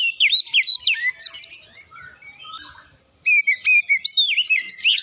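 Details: Song of an Oriental magpie-robin used to trigger singing in other birds: fast twisting whistles and stuttered chips, a quiet spell in the middle, then a fresh burst of looping whistled notes.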